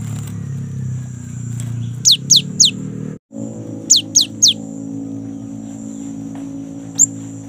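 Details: Young great tit in full song, used as a lure for kept birds: two bursts of three clear, steeply falling whistles, then a lone high note, over a loud low droning hum.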